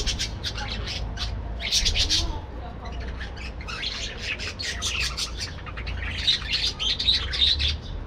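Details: Several budgerigars in an aviary breeding colony chirp busily in the morning, with rapid bright clustered chirps and squeaks that overlap throughout, above a faint low hum.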